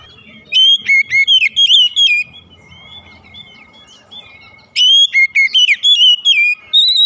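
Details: Oriental magpie-robin singing in the morning: bursts of rich, varied whistles with quick rising and falling inflections, separated by a quieter stretch of softer warbling over faint low background noise.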